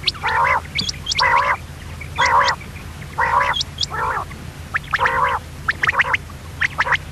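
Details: A common quail, possibly female, gives nasal, buzzy call notes about once a second, with thin, high chirps and a steady low hum behind it.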